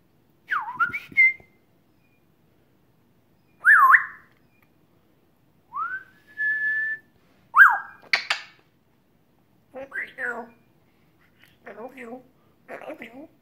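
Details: African grey parrot over a year old, kept as a pet, vocalising indoors while chatting with its owner: sharp rising whistles and a steady held whistle, followed by several short raspy speech-like utterances spaced about a second apart.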